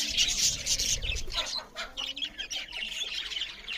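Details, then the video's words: Budgerigars chattering loudly during feeding; an intense harsh burst of high chirps at the start, easing into broken raspy twitters, with low rumbling noise in the first second. "Beautiful Budgerigars parrots Chariping loud with Something Budgerigars Eating"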